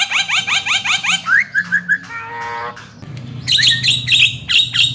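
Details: Javan myna song: a run of rapid rising harsh notes repeated about five times a second, then a few higher whistled slurs, a short buzzy stretch, and a return to dense chattering high notes.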